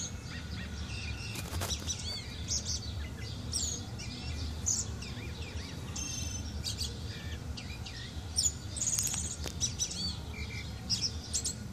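A thrush sings varied, clear whistled and chirping phrases in quick bursts, calling to another bird outside, over a steady low background rumble.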